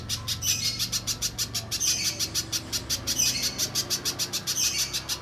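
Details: Spiderhunter known as pijantung pisang, played as a lure to prompt other birds to sing: a quick, even run of piercing high chips with occasional fuller, squeaky accents, and a faint low hum beneath.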